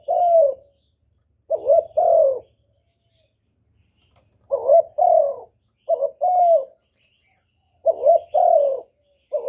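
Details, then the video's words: Spotted dove cooing: soft, low hooting phrases, each a short note run into a longer slurred coo, delivered in separated bursts with pauses of a second or more, over a clean, quiet background. "chim cu đất, tiếng chim cu thái, cu cườm gáy gọi"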